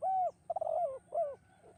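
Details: Spotted dove in the melodious 'kuk 2' style: a long, level hollow coo, a quavering, rolling coo that dips downward, then a shorter arched coo trailing off softly.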